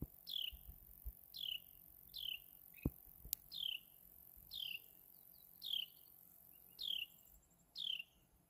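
A Carolina wren gives single sharp, high, down-slurred chirps about every second, seven in all, with a couple of faint clicks and soft distant chirps.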